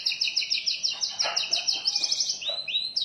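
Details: Kacer, or oriental magpie-robin, with a richly filled song kept as a training master and lure: a fast run of repeated high whistled notes about eight per second, ending in two long sliding whistles over faint background noise.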